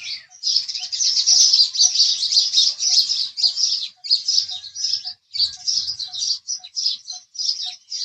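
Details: House sparrows chirping in a dense, almost continuous stream of harsh, high chirps, with steady faint ticking in the background.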